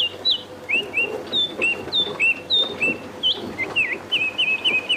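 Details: Lilting call of a bearded scrub robin, a mimic of other birds, played back on a phone: a brisk series of high, bright, slurred whistles, ending in a fast trilled flourish, over a faint low hum.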